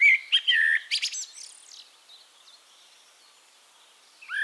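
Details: In Castricum, the Netherlands, a Eurasian blackbird delivers a short rich warble with a squeaky high flourish, then falls silent before a new phrase begins to rise at the end.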